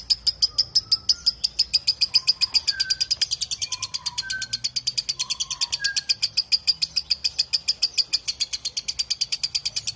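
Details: Lovebird ngekek panjang, a long chatter of rapid, sharp, high notes that runs without pause for ten seconds and speeds up slightly near the end, with soft whistled calls from another bird early on.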